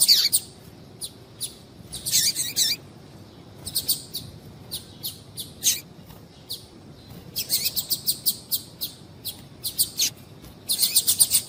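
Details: Calling female double-collared seedeater meant to stimulate a male: irregular high chirps and buzzy bursts, with fast runs of short notes around the middle and end.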